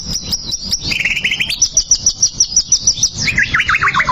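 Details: White-rumped shama song played to provoke a bird into fighting: rapid varied phrases, high whistled notes near the top, a run of lower trilled notes, then repeated rising and falling slurred whistles, loud and continuous.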